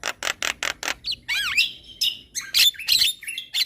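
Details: Javan myna chattering song: five quick harsh rasps, then a swooping whistle and buzzy, squeaky phrases with sharp scratchy bursts.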